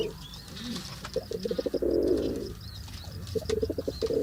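A pigeon gives soft, low, throaty coos: quick pulsed notes rising into one drawn-out rolling coo, then more pulses. Faint high chirps from other birds sound behind it.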